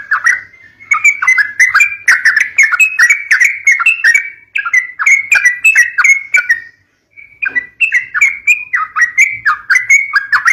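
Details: Yellow-vented bulbul song for luring young birds: long, flowing sequences of warbled whistled notes, repeated quickly, broken by one brief pause before resuming.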